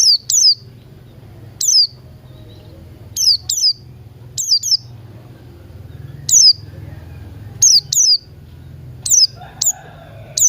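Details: Buxton's white-eye in the morning, singing ngalas style: bright, piercing descending notes, often paired, in irregular bursts separated by pauses of one to two seconds, over steady low background noise and a faint softer chirp.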